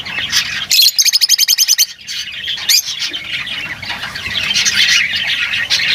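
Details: Lovebirds calling: a quick run of about ten sharp repeated chips, then a steady wash of high, scratchy chatter from several birds.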